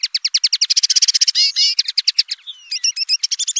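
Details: Fast, continuous common linnet twittering: a rattling chain of rapid chirps, a pair of buzzy wavering notes mid-phrase, then more quick staccato chirps.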